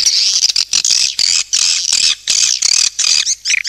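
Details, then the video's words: Swiftlet calling sound: buzzy, high-pitched twittering chatter in quick bursts of about half a second, broken by short pauses, with no other sounds. "SUARA PANGGIL BURUNG WALET"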